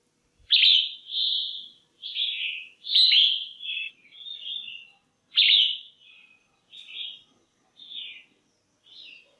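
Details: Female red-whiskered bulbul in a cage, calling to arouse males or find a partner: a lively sequence of about ten loud whistled notes, strongest at the start and middle, trailing off into softer, shorter whistles.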